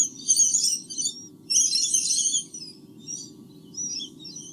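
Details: Two White-bellied sea eagle chicks in their nest in Australia, filmed by a live nest camera on 8 August 2015; close, harsh, high chittering in two long bursts, then shorter scattered bursts over a steady low hum.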